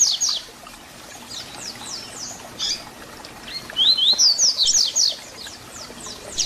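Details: Double-collared seedeater song of the "Tui Tui Zel Zel" type, used to teach young birds: faint high slurred notes early, then a loud burst of rapid sharp whistled notes near the end against constant hiss.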